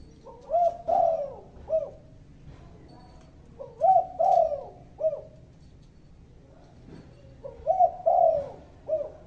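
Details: Spotted dove cooing: three phrases about three to four seconds apart, each a soft short coo, then a longer mellow double coo, then a brief falling end note, over faint background hum.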